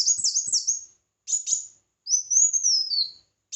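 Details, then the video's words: Red-whiskered bulbul in competitive song: two quick looping high whistles, a brief bright phrase, then a longer, smooth, rising-then-falling whistled note. "Chào Mào Hót Đấu"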